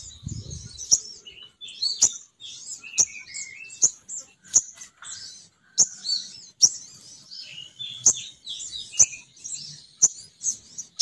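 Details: Lure call of a female sogon bird meant to draw males down: short high chirp phrases and thin descending notes, evenly spaced with sharp clicks about every second, and a low thump at the start.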